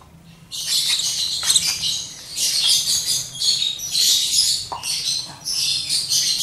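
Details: Lovebird chick, just over one month old, begging during hand-feeding with a syringe: rapid, harsh, hissing high squeals in pulsing bursts that swell and fade every second or so.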